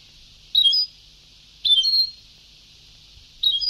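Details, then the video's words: European goldfinch on a very old Sebtaoui-style song tape: three short bright twittering phrases, each with quick upward and downward sweeps, about a second apart, over a steady high tape hiss. "Canto del jilguero antiguo شريط تغريد سبتاوي قدييييييم"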